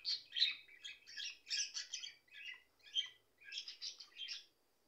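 Budgerigars warble in a fast, chattering run of scratchy chirps and squeaky whistles, several bursts over a few seconds, with no other sounds.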